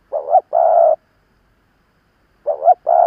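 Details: Spotted dove, an old decoy bird calling wild doves to challenge it, gives two repeated phrases of a wobbling opening note and a drawn-out steady coo, separated by a long silence.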